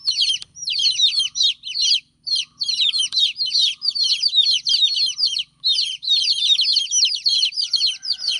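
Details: Domestic chicks crying while their mother hen is away: dense, high, shrill peeping chirps in rapid overlapping bursts, almost continuous with a few brief pauses, from several chicks at once.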